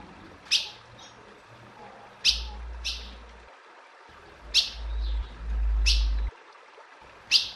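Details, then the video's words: Calling female ultramarine grosbeak gives six crisp, high, clipped chips at irregular intervals, some close in pairs, over constant hiss and low rumbling noise. "Piado de Fêmea de Azulão Chamando Muito"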